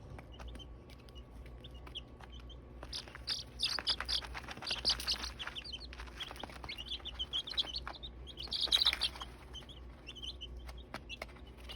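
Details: Group of nine chicks, seven days old, with a few faint cheeps at first, then bursts of busy high peeping and scratchy rustling and pecking sounds over a low constant hum.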